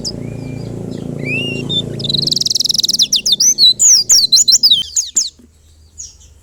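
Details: White-eye song: a buzzy high trill, then a quick series of sharply rising and falling whistled notes, over low background hum that cuts out partway through.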